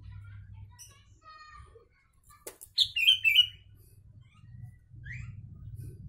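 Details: Sooty-headed bulbul song with learned Javan myna phrases: a single loud burst of clear whistled, wavering notes midway, with faint chirps before and after and a constant low hum underneath.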